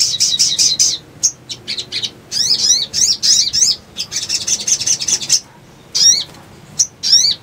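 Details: Little spiderhunter song used as a lure for trapping birds: bursts of high, shrill chirps, some rapid buzzy trills and others sharp zigzag notes, broken by brief pauses, with a low background hum.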